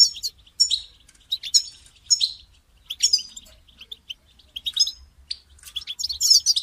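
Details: European goldfinch, caged, calling to motivate another caged goldfinch to sing: bright, sharp twittering chirps in short bursts separated by brief pauses, ending in a denser tinkling phrase.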